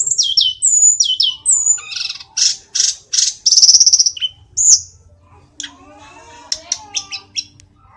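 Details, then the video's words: Mountain sulingan, known locally as tledekan, in Indonesia, singing: falling whistles, loud rasping trilled bursts repeated about every half second, then quieter warbling and scattered high chips. "Sulingan gunung / Tledekan gacor"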